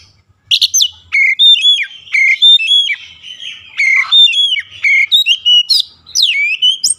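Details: Oriental magpie-robin (kacer) singing in a daily training session aimed at a long rolling song: loud, clear whistled phrases with sharp upward sweeps and ringing notes, delivered in quick bursts with short pauses.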